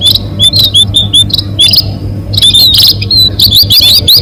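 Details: Munia lure calls for catching birds: dense, thin, high chirps and short whistled notes in overlapping bursts, several callers at once, with brief gaps and a steady low electrical hum underneath.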